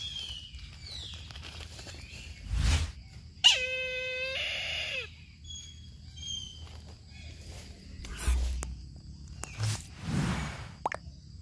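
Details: Brahminy kite giving a drawn-out, mewing call of about one and a half seconds, a steady harmonic tone that drops at the end. Faint chirps, rustling and short noise bursts are heard around it.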